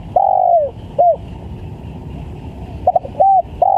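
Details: Very vocal spotted dove used as a lure sound for bird trapping, giving loud clipped coos: a long falling note, a short one, then a quick pair of notes, over steady hiss and low rumbling noise.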